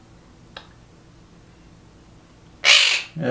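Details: A pet monk parakeet in a talking-training session gives a harsh, raspy burst, mimicking a spoken "hi" after its owner repeats "hi".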